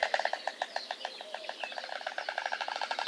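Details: White storks at a nest in Nowy Kamień, Poland, 20 May 2016, during the day the third chick hatched: a dry wooden bill-clattering rattle of rapid, even clacks, about ten a second, running steadily throughout.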